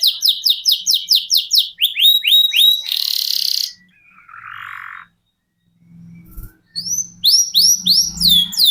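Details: Canary delivering long rolling 'ngerol' song, used as a master bird for contest songbirds: quick repeated sweeping notes and a harsh buzz, a lower rasp, a silent gap with faint low hum, then renewed upslurred notes.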